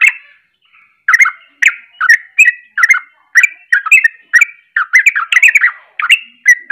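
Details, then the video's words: Sooty-headed bulbul in agitated, emotional ropelan-style song meant to rile other bulbuls: rapid bubbly warbled phrases of short rising and falling notes, delivered almost nonstop after a brief opening pause, with no other sounds. "Ropelan Penuh Emosi Langsung bikin Panas Bunyi Trucuk Lain"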